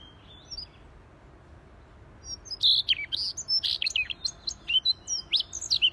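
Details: After a quiet opening with one faint phrase, a Siberian rubythroat bursts into energetic gacor song, a dense sequence of loud, varied high whistles and chips.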